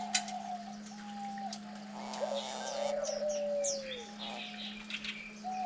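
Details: Diamond dove parents tending nine-day-old chicks: one long, smooth coo falling gently at its end, framed by shorter level hoots, while sharp high chirps flicker behind and a constant low hum persists.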